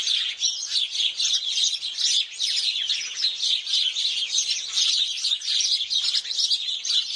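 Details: Several house sparrows chirping while bathing at Mettur Dam: a dense, continuous, busy overlapping chatter of short bright chirps with no pause and nothing else heard.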